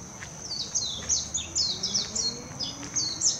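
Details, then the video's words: Warbling white-eye singing at Hashimoto, Wakayama Prefecture, Japan, on 26 June 2021: lively, very high, scratchy twittering phrases of fast slurred notes, with faint lower whistles in the background and a steady thin hum. "メジロ さえずり 姿 鳴き声 warbling white-eye song"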